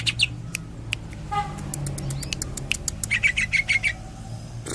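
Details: Greater green leafbird from Cililin singing in the tembakan and kapas tembak styles: sharp broadband clicks and short chirps, then a quick run of high, pure whistled notes near the end, over a low steady hum.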